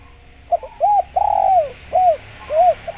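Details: Short spotted dove sequence meant to attract wild doves: clipped hoots, a prolonged sliding coo, then two more rounded coos and a brief final note.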